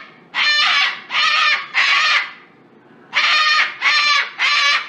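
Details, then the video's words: A cockatoo in Australia gives six loud, harsh, raspy screeches, each about half a second long, in two bursts of three, with nothing else heard. "Cockatoo sounds"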